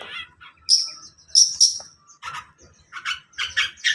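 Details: Long-tailed shrike singing in the morning: a jumble of harsh buzzy bursts and thin high whistled notes, loud short phrases separated by brief gaps, with a faint low hum underneath.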